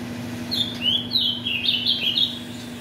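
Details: Tournament ultramarine grosbeak, son of mutation parents, delivering a bright, continuous warble of clear whistled notes rising and falling for about two seconds, with a low electrical hum underneath.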